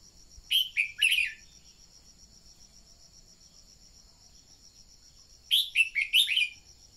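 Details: Song of a red-whiskered bulbul decoy, aimed at getting newly caught birds to sing: paired bursts of fast, bubbly warbled notes around five seconds apart, with a steady shrill insect trill underneath.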